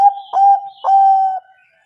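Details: Zebra dove of the Bangkok type singing in the mbekur ngerot style, used as a lure to prompt reluctant birds to answer and sing: two steady, mellow cooing phrases around one pitch, each opening with a short rolling burst.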